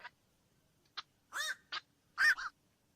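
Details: A few harsh, wavering squawks from a black-crowned night heron, including a longer raspy call and a final double croak, over a quiet background.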